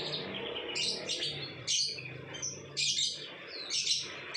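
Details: A lovebird delivering ngekek-style song, called ngecor: short bursts of shrill, high chattering notes separated by brief pauses, about five bursts in four seconds.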